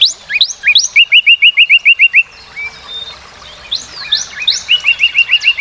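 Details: Northern cardinal singing: a few quick rising slurred whistles, then a fast run of about nine clear, even, downward-slurred notes. After a pause, the upslurs and the rapid note series come again.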